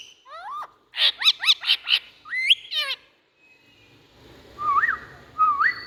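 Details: Indian ringneck parakeet at home uttering a fast run of five sharp squawking notes, then a couple of rising whistles; later two clearer slurred whistled calls over faint background rumble.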